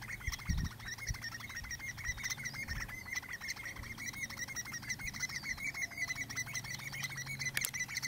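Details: Male Common Redshank (Tringa totanus) displaying and calling to a female before mating, Texel, the Netherlands, 25 May 2017: a fast, steady stream of short piping display notes over a low rumble of wind.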